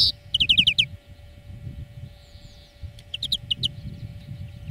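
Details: Greenfinch song lesson: fast bright trills of rising-falling notes, paused, then a looser series of chirps, over a low rumbling background noise.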